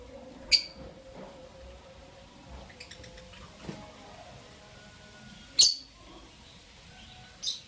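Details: Albino and Euwing green opaline lovebirds chirping in the morning: three piercing, high chirps, the first near the start and two close together near the end, over quiet background rustling.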